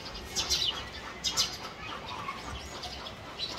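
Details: A house sparrow building its nest in a house gives short, bright chirps in quick clusters about once a second, with gaps between, over a steady background hiss.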